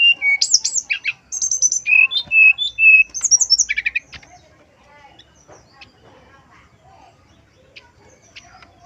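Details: Male brown-chested jungle flycatcher song played as a lure: a fast varied sequence of high buzzy trills, clear whistles and descending notes for four seconds, then quiet with faint distant chirps.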